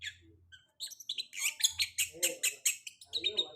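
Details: Post-moult long-tailed shrike song as a lure to prompt other shrikes to sing: quiet opening notes, then a rapid run of harsh, scratchy high bursts and chirps, with faint low pulsing music behind.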